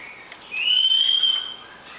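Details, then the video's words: Captive lorikeet at play on a coffee table; one sustained, clear whistle, rising slightly at the start and lasting nearly a second. "Lorikeet Enjoying Himself"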